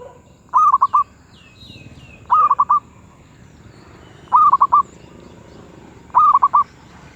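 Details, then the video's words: Zebra dove singing its 'suara sedang' (medium voice) style: four clear phrases of quick, rolling coos, each about four fast beats, repeating every two seconds, with faint high chirps from other birds between phrases. "Merbuk suara sedang"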